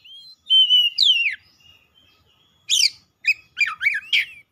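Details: Oriental magpie-robin in full, excited song, unloading its learned 'isian' fill phrases: a pure level whistle, then a sharply falling slurred note, and after a pause several quick rising-and-falling chirps ending on a short whistle.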